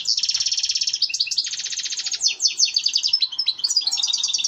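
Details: Song of a European goldfinch, offered as a mating call to get birds breeding: continuous fast twittering, a long rattling trill around one and a half seconds, then bright tinkling repeated notes.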